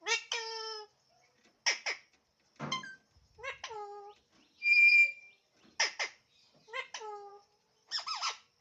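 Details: Alexandrine parrot talking indoors: a string of about nine short, nasal, strongly harmonic word-like syllables in bursts, some sliding downward, with one steady whistled tone midway and quiet gaps between utterances.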